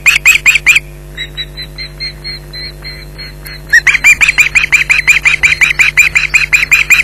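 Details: Osprey pair alarm-calling at an intruder at the Loch Garten nest, July 2011: loud harsh yelps, a pause filled by thinner, higher distant calls, then a renewed fast burst of loud yelping, over steady hum.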